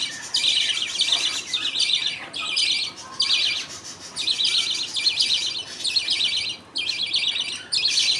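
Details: Budgies at feeding time, father feeding his two chicks while the mother watches and others wait; scratchy, warbling chatter in uneven bursts of one to two seconds with short gaps.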